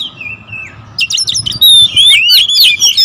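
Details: Territorial oriental magpie-robins, several birds heard agitated and calling together: a quiet sliding whistle at first, then from one second a loud burst of rapid, varied whistled and chattering notes, high-pitched and overlapping.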